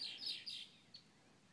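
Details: Red-winged Blackbird, wing still bright red in breeding colours, by a pond in northeastern Oklahoma on a partly sunny, mild spring morning (10:30 a.m., 12 May 2015) after heavy rain: a few harsh, high chattering notes, then one sharp chip.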